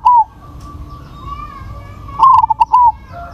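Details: Big-voiced crossbred zebra dove cooing: a brief closing note, then a full phrase of choppy rapid coos and a longer drawn final note, with soft background hum and distant tonal sounds.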